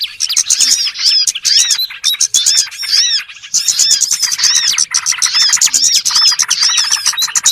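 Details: Bright, crowded twittering of small birds played as a trapping lure, with sharp rising-and-falling chirps stacked rapidly and a short thinner patch midway.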